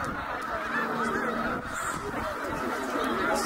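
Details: A short burst from a huge flock of migrating snow geese at Middle Creek, Pennsylvania, 2023: dense, rapid honks overlap continuously, with a few clearer yelps rising above the roar.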